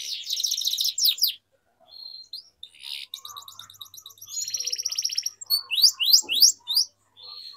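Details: Canary training song for young birds, bursts of buzzy trills and rattles separated by short pauses, with quick sweeping whistled notes.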